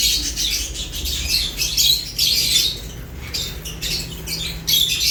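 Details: A group of lovebirds chirps as it eats. Rapid, harsh, high chirps come in clustered bursts separated by brief lulls, with a steady low hum behind.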